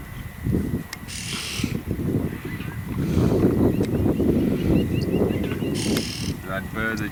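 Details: Oxpecker calling at Sabi Sabi, South Africa, on 20 September 2022, a call that warns walkers of dangerous game such as rhino or buffalo ahead: two short, harsh hissing bursts, over a low engine rumble and wind.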